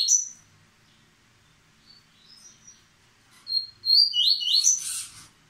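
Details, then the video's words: Moulting captive male yellow-bellied seedeater delivering paterno-style song; a sharp opening chirp and soft scattered notes, then a quick burst of high whistled and sweeping notes ending in a rough, noisy flourish. "Coleiro Baiano Paterno; mesmo mudando ainda mostra sua velocidade"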